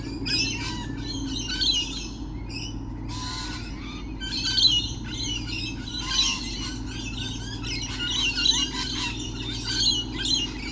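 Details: Crowds of lorikeets calling on 28 November 2013: repeated grating squawks and sharp screeching notes in bursts every second or so, with a few brief gaps, against a steady low drone.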